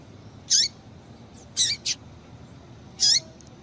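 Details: Calling female Double-collared Seedeater meant to stimulate a male, giving high notes that slur downward, with a doubled note in the middle, spaced about a second apart.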